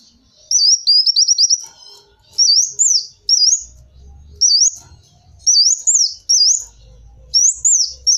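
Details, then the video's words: Kolibri wulung sunbird recorded for use as a lure sound: high, thin twittering phrases of quick up-and-down slurred notes, delivered in bursts of about half a second with short pauses, faint low thumps beneath. "Suara burung kolibri wulung cocok buat suara pikatan kolibri"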